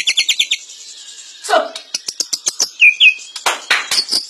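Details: White-rumped shama song made of a quick run of bright notes, a pause, then sharp clicks, a couple of short looping whistles and a burst of fast chattering notes.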